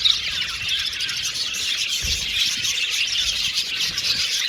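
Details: Flock of Australian budgerigars in an aviary, chirping in a dense unbroken chorus of high twittering notes, slightly softer, with faint low thumps underneath.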